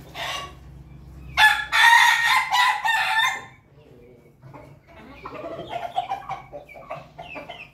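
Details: Pelung chicken in Jogja crowing: one long, loud, harsh crow with rich harmonics lasting nearly two seconds, followed by quieter, broken clucking and rustling background sounds.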